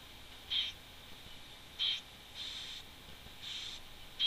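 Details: Wood warbler calling by its nest on a webcam, 11 June 2011: sharp, high single notes repeated roughly every 1.3 seconds, alternating with softer, longer hissing bursts, background otherwise quiet.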